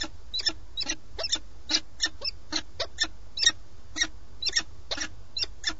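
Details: A peregrine falcon pair on a live webcam in Alcalá de Henares, Madrid, in a moment of mutual recognition on 4 March 2017, gives harsh, grating chips in irregular bursts, about two or three a second, over a low rumble of wind.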